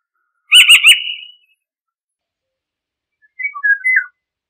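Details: Eurasian golden oriole calling and singing: a loud, nasal, wavering note with a rough, vibrating edge, then a pause and a short phrase of fluted, whistled notes at a slightly lower pitch. No other sounds.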